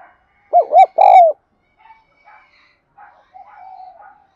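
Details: Spotted dove, a 'đồng son' decoy bird, cooing to lure wild doves: two low, hollow, arched coos, the second longer and drawn out, followed by faint softer murmurs.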